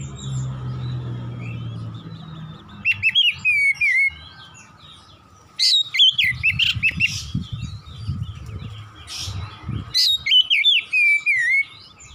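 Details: Oriental magpie-robin in lively 'gacor nembak-nembak' song, three separated bursts of quick, twisting whistles and chirps with a downslurred ending note, broken by quieter gaps with low rumbling background hum.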